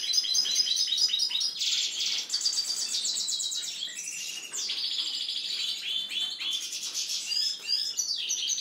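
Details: Kept European goldfinch singing a fast, continuous twittering song of bright, high chirps and trills, with short buzzy and rattling phrases and a few brief pauses, steady throughout the recording.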